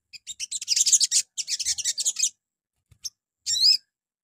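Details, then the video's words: High chattering burst from a little spiderhunter (sogon) in a morning lure to provoke replies, followed after a pause by a single note and a short, sharply modulated twittering phrase. "PANCINGAN PAGI HARI SOGON LANGSUNG NYAUT"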